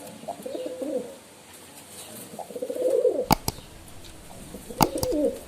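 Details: Pigeons coo in rolling, throaty phrases, broken by two sharp knocking or tapping sounds.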